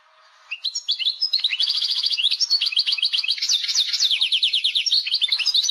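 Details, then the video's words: Algerian European goldfinch song: a bright, fast, tinkling medley of twittering notes and rapid liquid trills, continuous and high-pitched, with no other sounds. "تبنيجة مقنين...باللاڨلاڨ لبنين"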